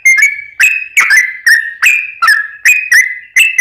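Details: Lively Sooty-headed bulbul giving lure song to stir other bulbuls: clean, ringing whistled notes that dip and rise, spaced roughly three per second, loud and close.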